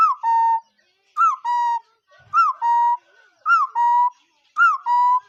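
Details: Bird giving a two-part whistled phrase: a quick hooked upslur, then a steady level note. The phrase repeats about once a second, five times, with a brief soft thud between.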